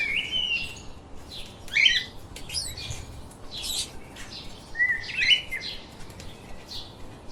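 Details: Pet lovebirds giving sharp chirps and short squeaky, buzzy notes in scattered bursts, with a few brighter rising and falling calls; several birds seem to call over a soft background hiss.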